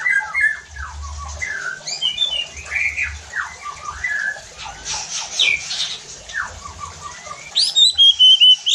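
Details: Varied White-rumped shama song used to provoke rival shamas, with rapid downslurred whistles and chirps in quick succession, brief noisy bursts midway, and a sharp, high-pitched flourish at the end.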